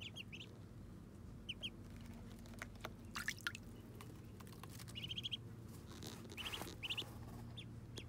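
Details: Muscovy ducklings taking their first bath call in soft, high, upslurred peeps, some doubled or in short runs, over faint dripping and splashing water.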